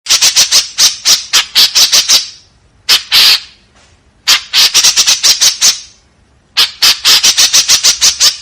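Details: White-breasted woodswallow giving a harsh 'tembakan kasar' volley: rapid, rasping, buzzy notes in quick bursts of about two seconds, separated by short pauses and a few isolated notes.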